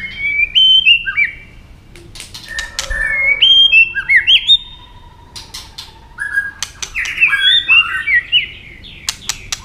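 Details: White-rumped shama roused into fighting song while tail-flicking: bright whistled phrases with quick upward and downward slurs, scattered sharp clicks, and quiet pauses between bursts.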